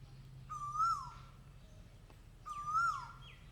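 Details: Two Asian koel calls about two seconds apart, each a clear whistled note climbing steadily upward before falling off sharply, in quiet surroundings.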